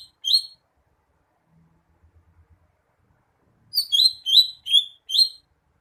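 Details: Greater green leafbird: one high chirp, a long silence, then a rapid burst of five loud, bright, twisted chirps; otherwise quiet.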